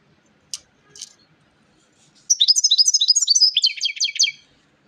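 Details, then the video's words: European goldfinch delivering a rapid, rhythmic twittering song of repeated high chirped notes for about two seconds, preceded by two short clicks. "SAKA KUŞUNUN HARİKA ÖTÜMÜ - GOLDFINCH SING"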